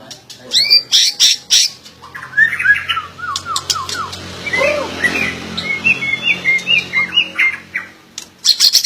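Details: White-rumped shama song mixing loud clicks, descending slurred whistles and a run of short chirped notes, delivered in uneven bursts.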